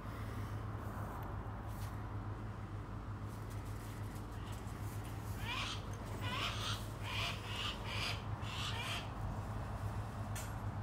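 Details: A 2023-hatched captive female saker falcon (833 g) gives harsh, raspy screeching calls, about one a second through the second half, over a steady low mechanical hum.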